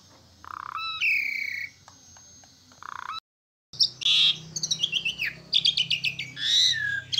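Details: Asian pied starling singing, caged: drawn-out whistles and short notes, a brief silent gap, then a fast jumble of chirps, slurred descending notes and quick repeated clicks.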